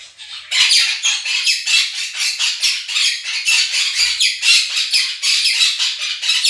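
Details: Two pet Quaker parrots screaming loudly indoors, drowning out a played recording of a budgie flock: a continuous run of harsh, raspy shrieks repeated several times per second for the whole stretch.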